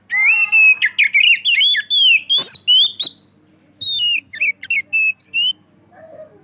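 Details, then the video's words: Loud, open-voiced singing from an Oriental magpie-robin, used to lure other magpie-robins. It gives rapid, varied whistled phrases with sharp clicks, pauses, then resumes with shorter repeated whistles. Faint low hum underneath. "kacer gacor ngeplong cocok buat pancingan burung kacer"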